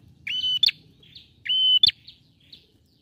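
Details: In this short excerpt, a vigorously singing male bar-winged prinia gives two level whistled notes, each clipped by an abrupt rising flick. Quieter buzzy twitters follow.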